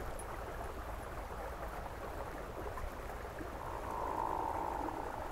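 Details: A hooded merganser during courtship display gives a drawn-out, rolling, frog-like croak near the end, over steady water noise and a low background rumble.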